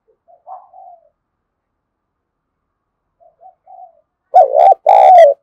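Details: Quiet, soft spotted dove coos at first, then after a pause a loud two-part coo whose second note is drawn out and slightly falling; the cooing is meant to rouse a decoy bird.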